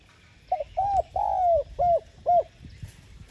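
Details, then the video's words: Spotted dove with a good voice, calling to rouse and lure other doves: a single mellow five-note cooing phrase, short opening notes leading to a long sliding coo, then two clipped endings, over quiet background. "Tiếng Cu Gáy Giọng hay GỌI +THÚC Dục BỔI Kích Bổi Nhanh Nổi.Chim Cu Gáy Giọng Hạp Bổi.Cu Đất Gáy"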